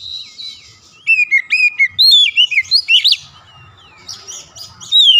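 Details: White-rumped shama singing, a recording used as therapy to make a silent bird sing: a rapid series of loud, clear whistles sliding down and up, varied rich phrases, with a faint low hum beneath.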